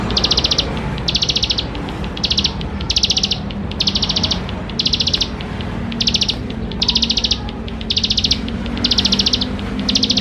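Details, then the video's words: Rich, chatty bar-winged prinia song intended to stimulate young birds to sing: thirteen or so high, insect-like trilled bursts over ten seconds, regularly repeated with short gaps, against faint background hiss. "Ciblek Sawah Gacor Full Isian Mewah || Untuk Pancingan Ciblek Sawah Muda Agar Cepat Bunyi"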